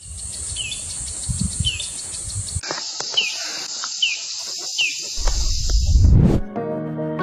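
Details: A Hill Prinia, wild in Sumatra and parts of Southeast Asia, China and India, repeats a short, sharp downslurred note about every three-quarters of a second over a steady high insect-like hiss; music comes in at the end.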